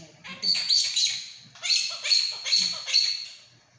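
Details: Captive monk parakeet talking in Mandarin, its repertoire including 'not happy' and 'don't like': two quick runs of harsh, squeaky speech-like syllables, each phrase broken into three or four clipped beats.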